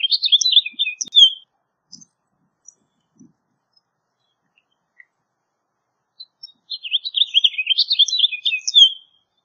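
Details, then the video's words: House Finch sings a quick warbled phrase, then scattered faint notes during a lull, then a longer tumbling run of high chirps and slurs. "House Finch Song! House Finch Call! House Finch Sound!"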